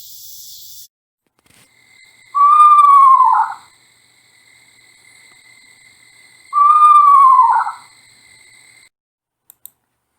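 Eastern Screech-Owl giving two descending, horse-like whinnies about four seconds apart, each sliding down in pitch over roughly a second, against a quiet background.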